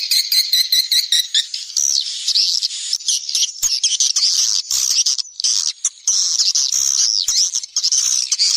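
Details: Swiftlet lure recording called SP Neptunus, played in the rainy season to attract swiftlets. Opening clicks give way to busy, high-pitched chattering twitters, densely overlapping and rising and falling in short phrases.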